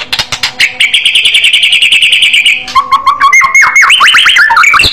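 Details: Loud white-rumped shama in aggressive fighter style, giving a sustained, rapid, buzzy trill for about two seconds. This gives way to low whistles and then a burst of steep, fast, up-and-down whistled sweeps.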